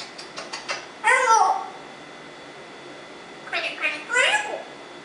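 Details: Speech-like vocalisations from a pet African Congo grey parrot: quick clicks and short syllables lead into a drawn-out falling phrase, then a second group of choppy sounds ending in a curved, descending note; indoors, quiet background.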